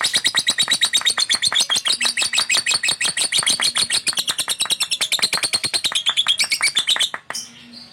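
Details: Caged male fighter lovebird in steady song: a rapid series of sharp, high, squeaky notes pulsing quickly for about seven seconds, then ending abruptly in near silence.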